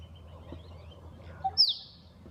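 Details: A Musk duck in Australia in the morning gives one sharp, high whistle that drops quickly in pitch, just after a soft low note, over a quiet outdoor background.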